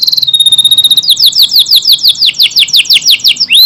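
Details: AF canary singing long and in tight bursts: a held whistled note, then a quick roll of down-slurred sweeps that gradually slows, ending on a rising whistle.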